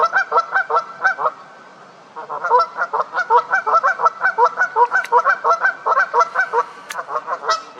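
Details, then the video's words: Loud honking from Canada geese squabbling in a fight: a run of nasal honks, a two-second pause, then a long, steady series of repeated honks close together. "Canada Geese Honking Loudly While Getting Into a Fight"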